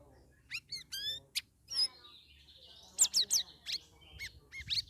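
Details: Caged Straw-headed Bulbul (cucak rawis), two weeks after leaving a group holding cage and singing vigorously (gacor), pours out rapid ringing whistles and rising slurred notes in a lively run over a soft low hum.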